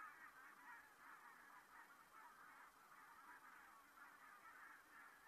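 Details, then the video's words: A flock of geese flying over Saastna on 4 November 2018 gives a steady, overlapping chorus of nasal honks and yelps, many voices at once with no pause. "Geese flying over"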